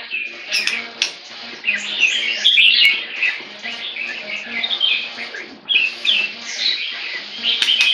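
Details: Captive white-rumped shama with a tail almost eight inches long, described as very loud; rich, rapid song of whistled and warbled phrases, sliding notes and sharp chips, overlapping continuously with a faint low hum underneath.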